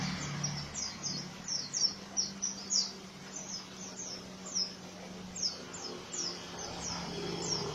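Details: Oriental white-eye giving a harsh ngriwik song: bright, high downward-sweeping chirps delivered in short bursts of two or three, then repeated, over a faint steady low hum.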